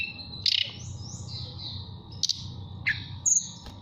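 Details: Mountain tailorbird kept caged in Purworejo, Central Java, calling a female with flute-like 'nyuling' whistles: a few brief, high, sliding notes spaced a second or more apart above a constant low rumble.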